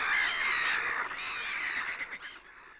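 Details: Red-crested pochard (Netta rufina) giving harsh, nasal, rasping calls, three drawn-out grating notes in under three seconds, with nothing else audible.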